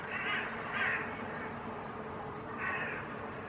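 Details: Hooded crows in Helsinki, Finland, October 2020, mobbing a hawk (possibly a Northern Goshawk) on a rooftop: three harsh, hoarse caws, two close together then one after a pause, over a steady low background hiss.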